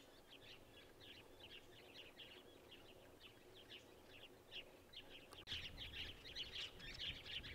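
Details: Masked woodswallows at Gluepot Reserve, South Australia, in October: fast overlapping chirps from several birds, growing louder after a sharp click, over steady wind-like background noise.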